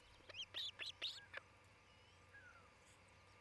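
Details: {'caption': 'Osprey couple at their Charlo, Montana nest, recorded by a nest cam on 27 June 2018 before noon; five loud, strident whistled chirps in a fast run, followed by quiet with a soft, falling distant whistle.'}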